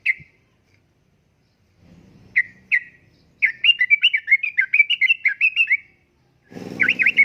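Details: Chatty yellow-vented bulbul (trucukan) in uplik-uplik style, a lure and tutor for caged birds: a couple of single chirps, then a rapid bubbling run of warbled notes lasting over two seconds, ending with a harsher burst against low rumble.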